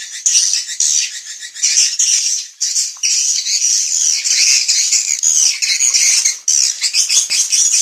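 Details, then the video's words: Evening roosting lure of swiftlets: continuous shrill chattering and squeaky twittering from many birds, with a few short pauses and faint high whistles. "SUARA BURUNG WALET - INAP SENJA"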